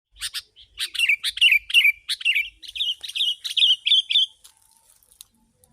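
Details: Sooty-headed bulbul singing intensely, used as a lure recording for wild birds: a dense run of quick chirpy, slurred notes in rapid succession, stopping abruptly, then a quiet pause.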